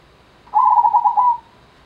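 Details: Perkutut, the zebra dove, gives one gendowo-style phrase: a quick run of soft rolling coos at steady middle pitch, closing with a drawn-out final note, over a quiet background.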